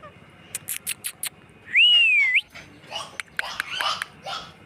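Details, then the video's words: A pet green parrot lets out a loud, clear whistle that rises, dips and rises again, framed by quick clicking bursts before and a chatter of raspy notes afterwards. "Natural sound of parrot video"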